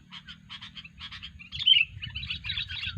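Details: Kutilang, or sooty-headed bulbul, in a luring recording of odd calls: rapid rhythmic clicking notes, then a loud sliding whistle followed by jumbled chattering, with a low droning hum underneath.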